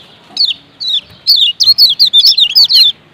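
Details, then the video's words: Kecial kuning Lombok pair, male with female, in 'ciak ciak' calling used to prompt other white-eyes to sing; two isolated high chirps lead into a steady rapid series of about ten bright downslurred notes. "Ciak Ciak Kecial Kuning BERINA JOSS JANTAN Kombinasi AJAIB Bikin Semua Kecial GACOR"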